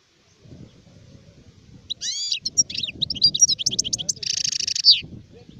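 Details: Adult European goldfinch, called sharif, singing in 2019: after a quiet start, a bright sequence of high slurred twitters and quick notes leads into a loud buzzy trill near the end.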